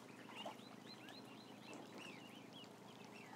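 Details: Ducklings from a flock of about a thousand: clear arched, whistled peeps rising and falling, several per second from many birds at once, over a low constant hum.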